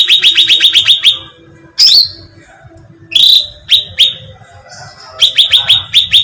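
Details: Sooty-headed bulbul bait sound used to attract birds: bursts of quick, bright, rising chirps repeated about eight times a second, broken by sharp downswept squeaks and short pauses.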